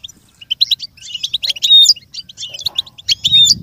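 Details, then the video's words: Goldfinch singing, offered so other goldfinches can learn and copy the sounds: rapid high twitters broken by clear whistled, slurred notes and tinkling trills, with a soft rumble near the end. "With stimulation for the goldfinch to learn and imitate sounds"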